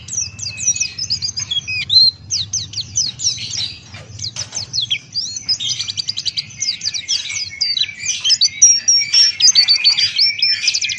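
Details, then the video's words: Male Buxtoni white-eye (Pleci) in full 'ngalas buka paruh' song. It gives a fast, continuous, very high chattering stream of clipped chirps and thin whistled slurs, with a few brief pauses between bursts. "Masteran Pleci Buxtoni Ngalas Buka Paruh"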